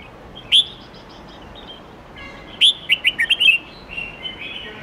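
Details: Song of a red-whiskered bulbul, a many-voiced forest-style recording meant for young birds to learn from: a lone sharp whistle, then a rapid run of five clear chirping notes and a softer trailing warble.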